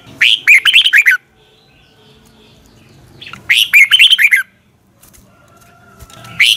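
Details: Morning song of a red-whiskered bulbul for training birds: two lively phrases of rapid, bright chirping notes about three seconds apart, with quiet pauses between them.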